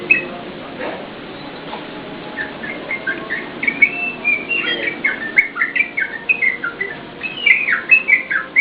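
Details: Yellow-vented bulbul in song, for use as a lure and master recording for cage birds: quiet opening, then chattering notes build into lively, bouncy whistled phrases with short downward slurs.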